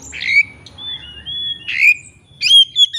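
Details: Oriental magpie-robin singing a lure phrase to provoke a rival and draw out its learned repertoire: a harsh rasping note, then long clear level whistles, then another rasp and high whistled notes, with a faint low hum beneath.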